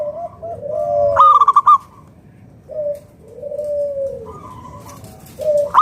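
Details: Zebra dove of local stock singing as a lure for other doves: soft drawn-out coos alternate with a loud burst of rapid staccato coo notes, the phrase starting again at the close.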